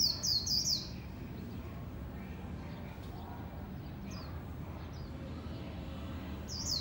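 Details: A white-eye, a singing competition bird, gives quick, very high, thin twittering phrases in short bursts at the start and end, over a steady low rumble of background noise.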